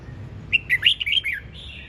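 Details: Red-whiskered bulbul in energetic ché chẻ singing, one quick run of five or six rich, chirpy whistled notes rising and falling, ending in a short slurred tail over a faint low background hum.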